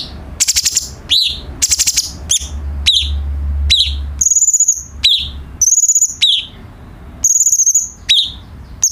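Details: Cucak cungkok bulbul song used as a tutor recording for training captive songbirds: sharp, very high chirps and short downslurred whistles in quick bursts with brief pauses, over a steady low hum.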